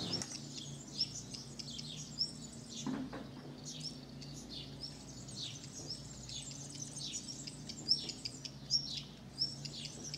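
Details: Tree pipit nesting on a home terrace in summer 2016, where it raised four chicks; thin, high downslurred whistles repeat irregularly, roughly once a second, over a low steady background hum.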